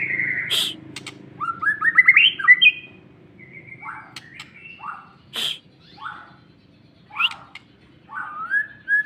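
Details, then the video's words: White-rumped shama singing aggressively after being provoked: varied whistled phrases, rising trills and slurred notes around the upper-middle range, separated by short pauses, with a few sharp clicks. "pancingan lagsung emosi"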